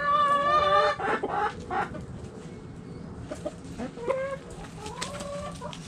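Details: Hens in a backyard chicken coop: a loud, drawn harmonic squawk opens, followed by quieter short clucks and brief rising notes scattered across the rest, with faint background murmur.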